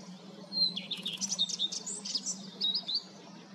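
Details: A common redstart sings a brief, high, three-second song phrase of sweet whistles and quick scratchy twitters, over a faint low hum; Common redstart.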